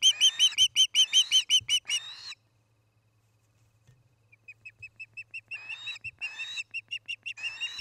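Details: Osprey pair at their nest in Charlo, Montana, on an evening in late August, recorded by a nest camera: a fast burst of sharp whistled chirps, a two-second pause, then more chirps building again, with a low steady hum beneath.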